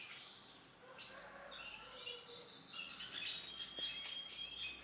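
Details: Male canary with orange and black plumage singing a faint, high warbling song of twittering notes and short sustained whistles, over a steady background hiss.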